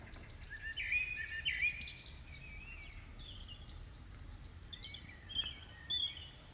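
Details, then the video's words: Birds singing in front of a house after rain on a May evening in 2015; clear whistled and warbled phrases with rising and falling notes, several short bursts spread through the clip over a quiet background. "CHANTS DOISEAUX"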